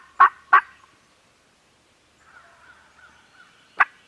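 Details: Turkeys gobbling on a farm, captured with a Canon G7X camera: two loud broad bursts in quick succession, a soft wavering chatter, then one more sharp burst near the end.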